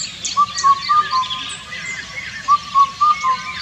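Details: Two clear four-note phrases from a singing Indian cuckoo (Cuculus micropterus), the final note lower, about two seconds apart, with thin high twittering of other birds behind.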